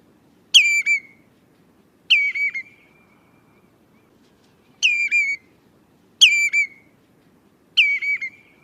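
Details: Common redshank calling the flock: loud, clear whistled notes that drop sharply in pitch, each given in a quick run of two or three syllables, repeated at uneven gaps of one to three seconds over a quiet background.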